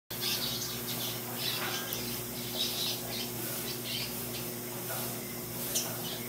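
Double-collared seedeater giving bright, scratchy bursts of high twittering notes, about one each second, over a steady low electrical hum.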